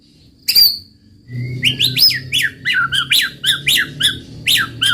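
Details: White-rumped shama giving a quick run of loud, sharply down-slurred whistles, about two per second after one opening note, over a low steady hum.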